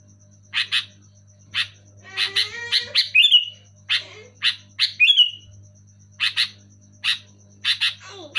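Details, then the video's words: Sooty-headed bulbul singing loud and clear, meant to stimulate quiet caged birds: lively rasping chirps in pairs and runs, twice climaxing in a bright descending slur, with softer lower notes and a steady background hum. "Suara burung kutilang gacor keras jelas"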